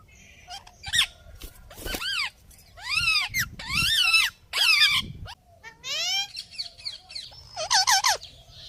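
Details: Talking parrot producing a run of loud, speech-like harmonic syllables, several arched and falling in pitch, in irregular bursts with brief pauses, ending with a quick string of wavering notes; background otherwise quiet.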